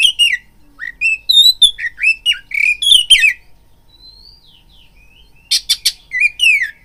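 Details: Caged oriental magpie-robin singing a lure song meant to rouse rival males to fight: loud varied whistles with rising and falling slurs, harsh buzzy bursts around three seconds, a quiet pause, then rasping notes and downslurred whistles.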